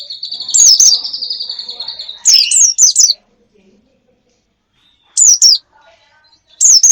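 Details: Bird lure for attracting wild birds: a long steady high whistle with sharp chirps over it, then short bursts of rapid high twitter separated by silence.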